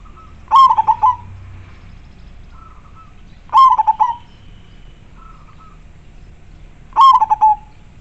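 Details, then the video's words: Local zebra dove in full voice, a clear, strong song used to lure wild doves: three phrases of rapid, staccato, rolling coos, each opened by a brief soft whistle, repeated about every three seconds over quiet low hum. "Perkutut lokal gacor suara jernih dan besar ampuh buat pancingan"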